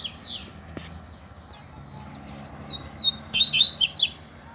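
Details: Double-collared seedeater, a caged bird, singing against a loose male: a brief high slurred note, a pause, then a burst of fast, sweet, high-pitched warbling trills over a quiet low hum.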